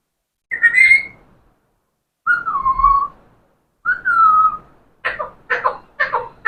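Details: Parrot known for talking whistles three clear tones, the first high, the next two lower and slightly falling, then rattles off four quick harsh speech-like syllables.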